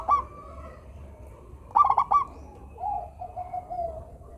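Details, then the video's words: Local zebra dove in full, frequent song to encourage idle doves to sing: clipped, hiccuping notes open each phrase, followed by a sustained, slightly wavering low coo; two phrases heard. "perkutut lokal gacor suara merdu - bikin bunyi perkutut yang malas manggung."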